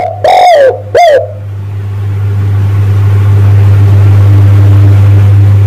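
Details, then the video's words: Spotted dove call for luring males: two loud, distorted coos close together at the start, the second shorter and falling, then only a low steady hum and faint hiss. "tekukur pikat mp3 memanggil jantan"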